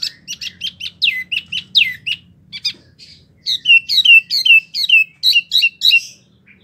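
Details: Wambi in care giving rapid repeated chirped notes, then a run of descending whistled slurs, quick and rhythmic, over a faint low hum.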